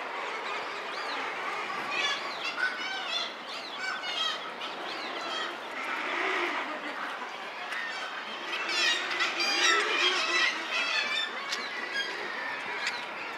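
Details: Thick-billed murre colony noise: many birds giving overlapping rough, croaking calls that swell and fade over about thirteen seconds, forming a steady busy background roar.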